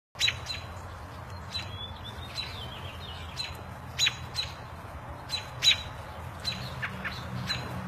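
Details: Bird giving sweet, high, sharp chirps in short bursts, some with thin whistled notes, repeated irregularly about every second, over a steady low rumble of background noise.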